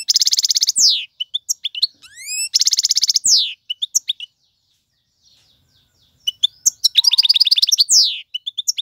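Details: A male European goldfinch sings to tutor chicks: dense buzzy rattles, rising whistled slurs and scattered tinkling notes, broken by a quiet gap midway.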